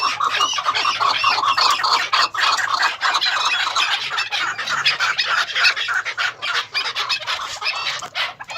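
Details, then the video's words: Maskati chakor, a female chukar partridge, gives fast, rough, clucking chatter repeated about three times a second, loud and continuous with short dips in between. "Maskati Chakor Female awaz"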